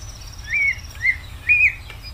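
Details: Greater green leafbird song: three drawn-out, slurred whistles, each rising then falling, spaced about half a second apart against quiet background hiss.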